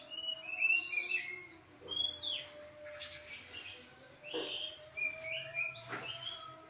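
Pied Bushchat singing bright, high chirps and short whistled phrases in quick bursts, over a faint steady low hum and a few soft knocks.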